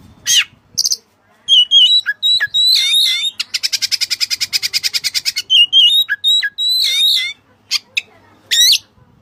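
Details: Oriental magpie-robin in a long, varied song with Cililin fill-ins: high chips, quick whistled trills, a steady rapid rattle of about twenty pulses, then more whistles and chips.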